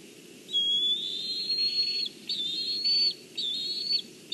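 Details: A young Black Kite at a nest in Kurzeme, Latvia, early morning of 14 July 2023, while parents deliver fish, gives high, thin whistled calls, some quavering, in a run of bursts about a second apart, over a low steady rumble.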